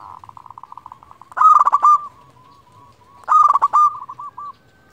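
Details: Local zebra dove calling rivals, used as a lure, starts with soft pulsing coos. Two loud, fast, stuttering bubbly phrases follow about two seconds apart, each trailing into a rolling purr.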